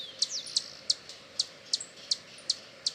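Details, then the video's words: A hummingbird gives thin, very high chips in a steady series of roughly three per second, over a faint background hiss. "som de beija flor-hummingbird sound"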